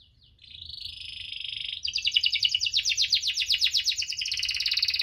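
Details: Lively canary rolling and chirping to encourage lazy canaries to sing: a buzzy sustained trill gives way to a fast, regularly pulsed roll that continues to the end.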